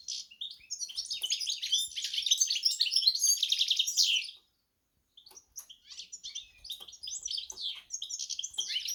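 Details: Goldfinch x canary hybrid singing a fast, twittering high-pitched song of buzzy trills and chirps, broken by a brief silence midway before the jumbled warbling resumes more sparsely.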